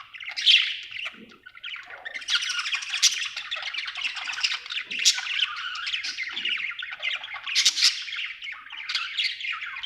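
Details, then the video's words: Cheerful pet budgerigar chirping: a long, unbroken chatter of grating squawks, rapid clicks and high twitters lasting nearly ten seconds, with louder sharp accents scattered throughout. "Happy budgie chirping sound"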